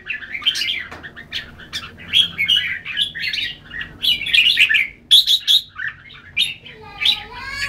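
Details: Red-whiskered bulbul singing in a fast jumble of warbled and chirped notes, irregular and varied, with sharp high bursts and a low steady hum behind.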